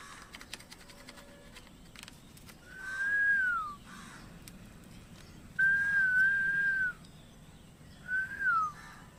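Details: Parrot giving three clear whistled notes at a similar mid pitch: the first and last slur downward at the end, the middle one is long and nearly level, with faint hiss between them.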